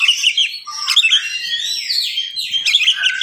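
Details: Morning song of an oriental magpie-robin, delivered at a fast, tight pace to rile up listening magpie-robins: a continuous flow of high whistles, chirps and slurred sweeps with no pauses.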